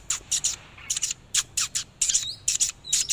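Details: Oriental magpie-robin during a display, giving short harsh rasping bursts repeated about three times a second, with a brief whistled note slipped between them.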